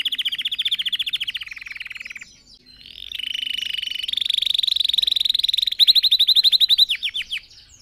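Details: Red factor canary song meant for training other birds: fast buzzy trills held for seconds, a brief pause, then rising rolled tours and quick descending chirps at the end.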